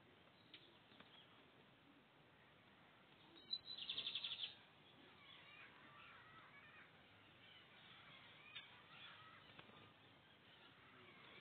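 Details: Lined seedeater, a breeder's bird from the 2023 season in Brazil, gives a short, rapid buzzy trill of high notes lasting under a second, set against a steady background hiss.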